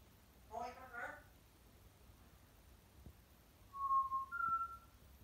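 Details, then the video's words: Pet male African grey parrot, left alone in a quiet room, gives a brief burst of speech-like chatter, then two clear whistled notes, the second higher. "African grey - parrot noises, talking and chatter"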